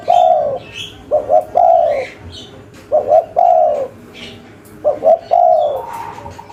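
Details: Local spotted dove calling actively in the cetrekan style: low hooting phrases of two quick short coos then a longer drawn-out coo, repeated about every 1.5 seconds, with faint high chirps from other birds behind.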